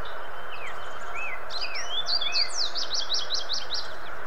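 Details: American goldfinch singing in southern Ontario, where the species stays through summer: a few slurred, rising whistles followed by a quick run of bright, repeated twittering notes, over a steady background hiss.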